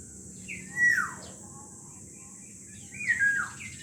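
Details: Black-naped oriole, from a pair of birds: two rich, fluty whistled phrases falling in pitch, about two seconds apart, with a steady hiss behind.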